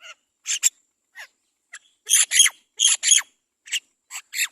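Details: Great myna mother feeding her baby; the chick gives rapid, scratchy, hissing calls, often doubled, spaced unevenly about once a second, with a few fainter short notes among them.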